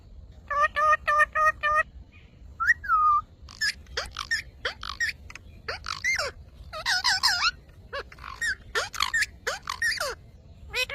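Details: Parrot making funny sounds: bursts of repeated harmonic notes, then a run of short, varied, swooping whistled and squeaky calls with brief pauses between.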